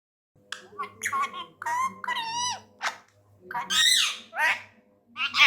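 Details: Tame Indian ringneck parrot, described as angry, talking indoors in Urdu/Hindi: a rapid run of harsh, buzzy speech-like phrases and squawks with many stacked tones, ending in loud grating squawks, over a faint low hum.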